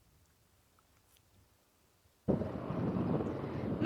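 Near silence for two seconds gives way abruptly to a loud, steady roar of wind or vehicle noise, with no animal voices.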